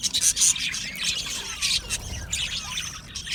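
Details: Aviary colony of budgies singing and chirping, many birds at once: steady scratchy warbling mixed with high squeaky chirps and brief squawks, overlapping without pause.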